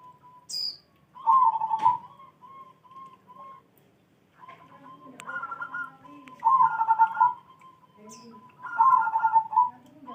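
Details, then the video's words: In the morning, a zebra dove gives three loud rolling, trilled coo phrases about every three seconds, linked by quieter level whistled notes, with faint chirps of other birds in the background. "Nyanyian perkutut di pagi hari"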